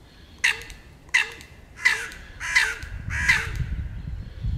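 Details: Crow cries during a border fight over peanuts, with threat postures and attacks; five short, harsh caws spaced under a second apart, low rumbling noise rising toward the end.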